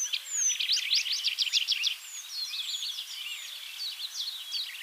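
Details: Tree Pipit song recorded in Bakkum, the Netherlands, in 2023: a burst of quick, evenly repeated high downslurred notes, followed by a scatter of varied chirps and thin whistles, possibly other songbirds mixed in.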